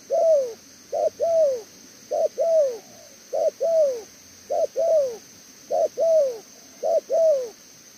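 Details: Spotted dove, a caged song bird, cooing steadily: a quick short note followed by a longer falling coo, the pair repeated about every 1.2 seconds in a regular rhythm, with faint background hiss.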